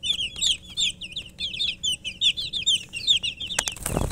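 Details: Chicks (murgi, chicken) chirping: dense, overlapping high peeps, many short downslurred cheeps repeated rapidly in bursts, several birds calling at once, ending with a few clicks and a brief rustling noise.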